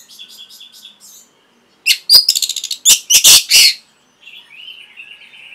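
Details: Song of an Orange-headed thrush for training caged birds: soft repeated high notes open, followed by a loud rapid chatter and harsh bursts, then a thin drawn-out whistle that wavers and descends.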